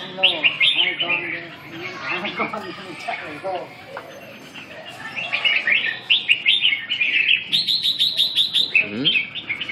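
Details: Red-whiskered bulbul (chào mào) song: bouncy, repeated chirping phrases about three per second, interspersed with clicks, rustling and a faint sharp high ticking near the end.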